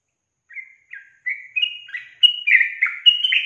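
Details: Female yellow-vented bulbul calling lively to draw answering males: a run of short bright chirping notes, slow then faster and denser, each note sliding around a high pitch, in quiet surroundings.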